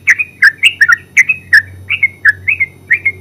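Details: Terucuk, the yellow-vented bulbul, in continuous ngeropel song: chattering, liquid two-part notes repeated almost three times a second, with crisp ticking clicks mixed in over a steady low hum.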